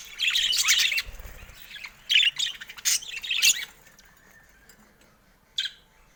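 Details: A caged budgerigar gives a burst of harsh, squeaky warbling, then a few short separate squawks and chirps before falling nearly silent, with one last brief chirp near the end.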